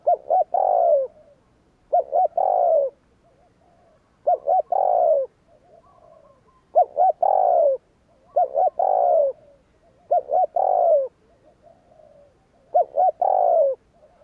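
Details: Spotted dove giving the 'gù kích' cooing style, used to stir newly caught birds into calling. Low, hollow coos: two quick notes and then a longer falling coo. The phrase repeats about every two seconds, seven times, with soft murmurs between.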